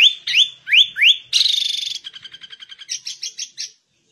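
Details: Sooty-headed bulbul in energetic ngegaruda song: a few upswept whistles, then a long buzzy rasping note, followed by a quick rapid series of short repeated clicks and a run of sharp chirps.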